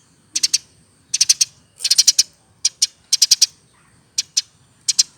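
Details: Caged, hand-fed Eurasian tree sparrow aged over one year, chirping energetically in gacor fashion: crisp high notes grouped in short runs of two to four, spaced irregularly across several seconds in an otherwise quiet setting.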